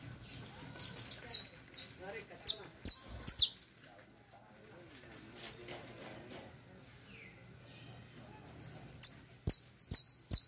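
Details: Saffron finch, a Colombian creole canary song offered for teaching other birds: bursts of sharp, high chirps in quick runs, a quiet pause of several seconds, then another rapid volley of bright notes.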